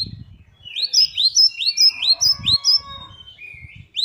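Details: High, sliding chirps from a great tit (gelatik batu), a run of upswept notes repeated a little over twice a second, followed by a lower drawn-out note; low knocking noises at the beginning and middle.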